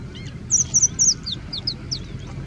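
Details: Singing bush lark in India mimicking other birds such as Indian Robin, Pied Bushchat, Plain Prinia and Common Woodshrike; three loud high paired notes in quick succession, then several softer descending slurred whistles, with a low background rumble.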